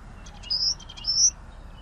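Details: Common waxbill (Estrilda astrild) singing: a short phrase of quick ticking notes leading into a high, thin drawn-out whistle, given twice within under two seconds, with a faint low background hum.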